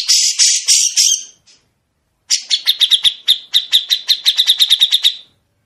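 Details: Grey-cheeked bulbul in full besetan, recorded so caged songbirds can copy it: a loud rasping rattle, a quiet gap, then a long run of rapid, harsh, clipped notes that speeds up slightly toward the end.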